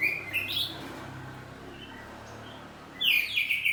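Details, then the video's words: Kept oriental magpie-robin of the kacer poci type, singing in the ngeplong saut-sautan style: a few bright whistled notes at the start, a quiet pause with faint low hum, then a loud rich whistled burst at the end. "Kacer ngeplong saut2an || kacer poci rumahan || suara kacerpoci || burung kacer"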